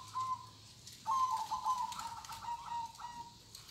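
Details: Local Indonesian zebra dove singing in the kong style: a bubbling, trilled coo that holds a steady mid pitch, then a longer rolling phrase that ripples on and ends in an even, sustained note.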